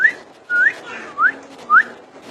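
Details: Common iora song with four sweet whistles, each rising steeply at the end, repeated about every half second over a faint hum.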